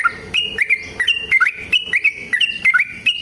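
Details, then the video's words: Fighting song of a sooty-headed bulbul, used as a lure for other bulbuls to reply. Bright whistled notes form a short looping phrase, rising then dropping, repeated roughly every half second. "TRUCUKAN GACOR TARUNG ROPEL PANJANG Pancingan trucukan Agar Bunyi Jadikan Burung Trucuk Gacor Nyaut"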